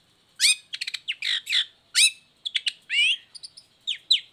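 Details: Rich, fast long-tailed shrike song used to stir lazy or moulting shrikes into singing: rapid mix of rising whistled slurs, clicking notes and harsh buzzes in tumbling, varied phrases.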